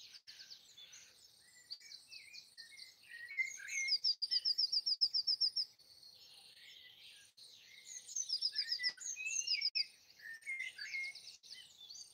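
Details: Several birds sing in trees by a house in Broadford, Kildare, Ireland, early on Easter Sunday 2020; dense high chirping with bursts of fast, evenly pulsed trills, and quieter twittering between them.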